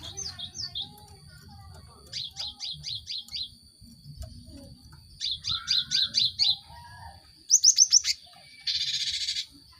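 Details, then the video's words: Cinereous tit song played as a lure to stimulate caged birds to sing quickly: short bursts of five or six sharp, evenly spaced notes repeated after pauses, ending in a harsh buzzy rattle and a brief noisy burst. "Pancingan gelatik batu untuk merangsang burung ombyokan cepat bunyi"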